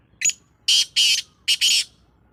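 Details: Black francolin (kala teetar) recorded 19 February 2025, giving a loud rasping call: a short opening note, then two harsh bursts, a pause, and a clipped note running into a longer grating burst.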